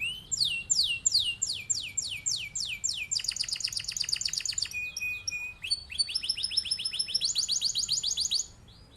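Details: Male canary in full rolling song, kept as a master bird to teach others: loud rapid repeated downward-sweeping notes, then a fast buzzy trill, a steady held tone near five seconds, and more rolling phrases.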